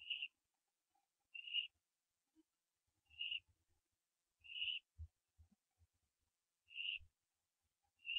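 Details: Pre-dawn barn owl nest at 4:07 AM, 15 September 2011, as the owlets branch; clean, short, high-pitched piping notes repeat roughly every one and a half seconds over near silence, with occasional soft taps.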